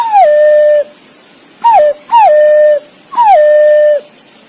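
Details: Four pure, strong whistles from a green pigeon calling to its mate, each sliding down briefly before levelling into a long flat note. One brief clipped whistle comes early, with faint hiss between notes.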